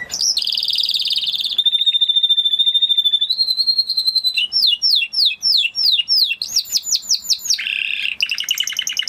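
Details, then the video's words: Spanish Timbrado canary performing varied phrases: a buzzy warble, a long steady pure whistle, a rising whistle, downslurred notes repeated every half second, fast rising sweeps, a harsh burr and a quick trill. "Canary Sound Effect - Canary Singing Video"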